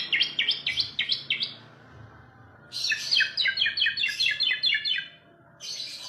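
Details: Asian pied starling delivering two bursts of rapid, rhythmic chattering notes, each a fast series of sharp, scratchy syllables, separated by a short pause and followed by a brief noisy burst.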